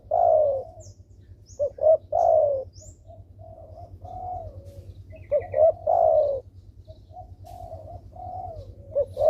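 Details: Spotted dove calling as a lure to make reluctant doves respond: soft hooting coo phrases, quick paired notes then a long falling coo, repeated about every few seconds over a faint continuous hum, with faint high chirps from other birds.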